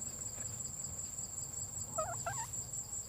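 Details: Female red junglefowl calling to attract a mate: two short wavering, warbled notes close together near the end, each bending up and down, over a constant high-pitched insect whine and low background rumble.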